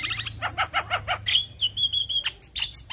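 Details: Javan myna song from a master recording for young birds: a series of short rasping notes, then a sustained level whistle, followed by buzzy bursts.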